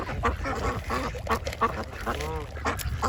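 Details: Mixed ducks feeding together at a pond, giving a steady stream of rasping quacks. A longer drawn-out quack with a rich, wavering tone stands out near the end, over low ambient rumble.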